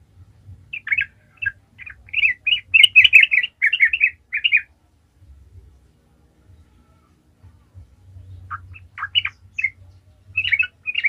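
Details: Yellow-vented Bulbul (trucukan) in lively 'gacor ngalas' song, used as a lure to make other bulbuls sing: bursts of bubbly, chattering warbled notes, a long run, then a pause before more scattered phrases.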